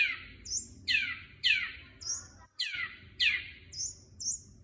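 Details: Long-tailed shrike, locally cendet, a lure song for a caged bird that has stopped singing; loud falling squeaky notes repeated about every second, each followed by a short higher chip.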